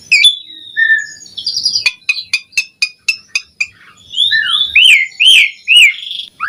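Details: Asian pied starling song offered as master audio for training starlings: flat whistles, a fast series of evenly spaced clicking ticks, then several loud, arching whistled notes that rise and fall.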